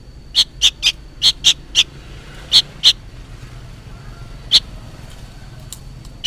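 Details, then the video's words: Young sooty-headed bulbul calling loudly, seemingly for its parent: a quick run of sharp, high rasping chirps, then a pause and a few spaced single notes. "suara burung kutilang anakan gacor ribut seperti memanggil induknya"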